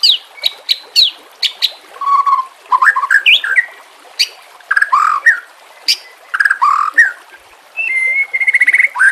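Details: Murai batu, or white-rumped shama, in a recording for training other shamas, with water trickling behind: sharp clicks and chips mixed with lower rich warbled phrases, then a steady buzzy whistle near the end.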